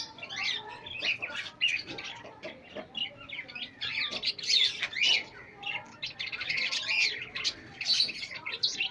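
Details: Group of pet chicks meeting pet hens, irregular high peeping and chirping nearly two per second, many birds overlapping, with a low murmur beneath.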